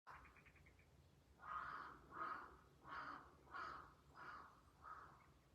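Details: Crows calling loudly in the early morning in the Japanese countryside, 19 June 2023, so loud they sounded like fighting; six harsh cawing notes spaced under a second apart, distant, with faint chirps at the start.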